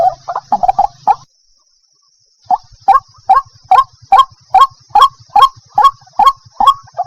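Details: Lure recording of White-breasted waterhen for attracting birds by day: a quick cluster of clipped notes, a pause of about a second, then eleven evenly spaced hoarse honks, with a low steady hum underneath.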